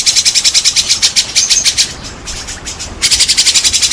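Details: White-rumped shama song meant to provoke other shamas into singing: quick repeated rasping pulses with high thin whistles, a brief pause, then another fast rattling burst.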